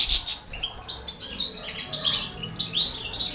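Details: Four baby canaries being fed by a Balkan goldfinch give loud high chirps at the start, followed by continuous overlapping twittering notes.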